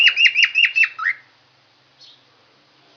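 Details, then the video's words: Yellow lovebird with a raised crest singing: a quick run of five or six shrill, squeaky chirps in about a second, then a pause and a couple of softer squeaks. "Love Bird Singing"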